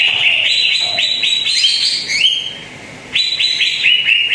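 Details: Greater green leafbird, lure song to make a reluctant bird sing: rapid rising chirps in a rolling series, a brief gap, then more quick upslurred notes repeated at a steady pace.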